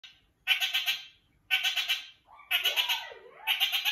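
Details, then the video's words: A kakariki calls to a companion kakariki, giving harsh, chattering bursts of rapid notes, about one burst per second, bright and nasal; a softer warbling note slides beneath one burst. "Lemon calls Pineapple"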